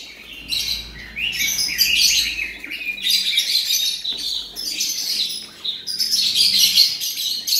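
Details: Singing male Oriental magpie-robin offered for sale pours out sustained, rich, high-pitched chattering and whistled notes, with intense phrases at the start, middle and close.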